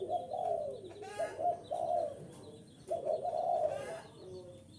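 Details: Spotted dove call for luring wild birds: two long, rolling coo phrases with a throaty tremor, separated by a quieter gap and sharp chirping bursts.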